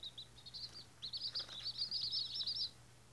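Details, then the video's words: Baby White Australorp chicks, first day after hatching, giving a few sparse high peeps, then a rapid run of shrill overlapping chirps that trails off near the end. "Baby White Australorp Chickens First Day"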